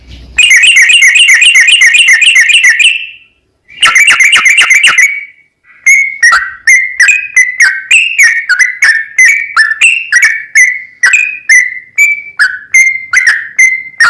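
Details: A sooty-headed bulbul in its 'ropel panjang' song, played to make another bird sing. It opens with two harsh, buzzy chattering trills, then shifts into a quick, steady series of loud whistled notes.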